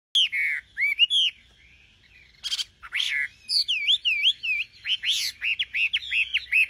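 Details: Singing nightingale: loud, varied phrases of high whistled notes, a burst of buzzy clicks midway, then a fast series of repeated rising-and-falling whistles near the end.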